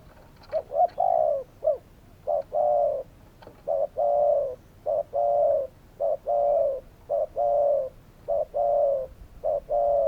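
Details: Spotted dove cooing almost without pause, a steady run of low, mellow notes alternating short and drawn-out coos, phrases flowing into one another for the whole stretch.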